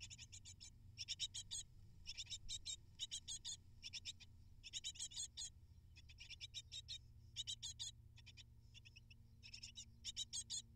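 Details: Eight hungry great tit nestlings being fed prey by their parents beg in a rapid chorus of high, thin, scratchy chirps, delivered in dense bursts of about half a second separated by brief pauses, with a faint low hum beneath.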